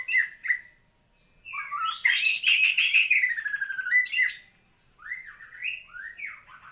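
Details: White-rumped shama, a prized songbird, singing harsh squawking notes mixed with rich whistles, a loud dense chattering burst in the middle, then repeated swooping whistled phrases.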